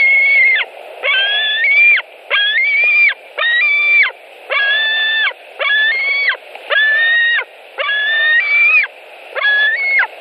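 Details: White-tailed eagles at their nest in Latvia, 26 July 2018, with one adult bringing a bird and the other coming in: a steady series of loud, buzzy, harmonic yelping notes, roughly one per second, over low background hum.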